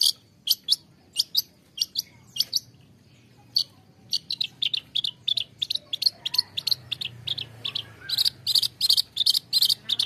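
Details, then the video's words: Long-tailed shrike song used to get caged birds singing: spaced harsh chips that speed up into a dense rapid chattering series toward the end, over low background rumble. "SUARA CENDET UNTUK TERAPI CENDET MALAS BUNYI"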